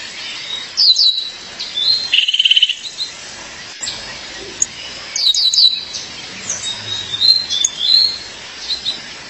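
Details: Female Violaceous Euphonia calling for her mate: repeated bursts of piercing, down-slurred chirps, a brief rapid trill early on, and scattered softer twitters in between.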